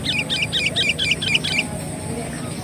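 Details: For luring birds, a sooty-headed bulbul delivers a rapid string of about seven paired, chattering notes in under two seconds, then falls silent against a noisy, hissing background.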